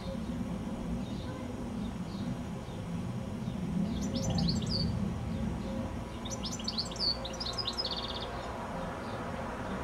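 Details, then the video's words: A goldfinch on a high telephone wire just before sunset sings two lively twittering phrases of sharp high chirps, the second ending in a short buzzy trill, over constant low-pitched background noise. "Goldfinch Singing a song"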